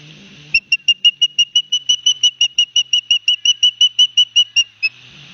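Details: Live-cam recording from a New Jersey osprey nest at Barnegat Light, 9 September 2021, as the father delivers fish to both chicks. About twenty-five shrill, evenly spaced whistles pour out rapidly over a low background hum.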